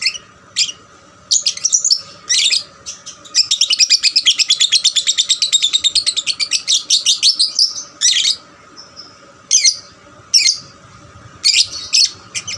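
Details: Caged lovebird singing to stir other lovebirds into song: a long rapid trill of sharp high chirps lasting several seconds, then scattered harsh chirp bursts with short pauses; steady low hum in background.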